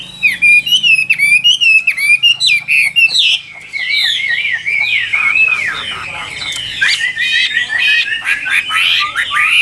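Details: Chinese hwamei of the 'Tam Hoàng' type, a bird offered for sale, rattling off quick high notes and whistled slurs, then a denser, noisier stretch of warbling with a man's voice in the background.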